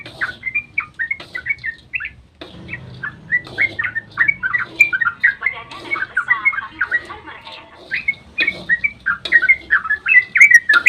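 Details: Sooty-headed bulbul dawn 'ropel' song used as a lure for other bulbuls; scattered slurred whistles grow into a busy chattering stream, over a soft low rumble in the background.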